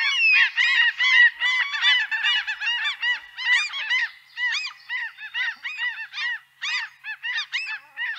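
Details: Several gray-headed gulls in Central Russia call over one another in a dense chorus of nasal, yelping notes, each rising then falling, about two or three per second.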